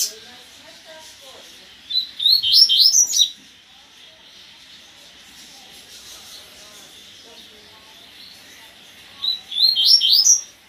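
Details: Double-collared seedeater singing the gasparzinho song style: two short, bright, high warbled phrases of rising and falling whistled notes, about seven seconds apart, over a quiet background with faint low murmurs.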